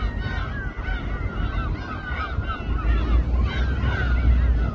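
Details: Many gulls calling together over a boat at Samgilpo Harbour, Seosan, South Korea, a steady chorus of harsh, downslurred mewing cries, several per second, over a heavy low rumble of engine and wind.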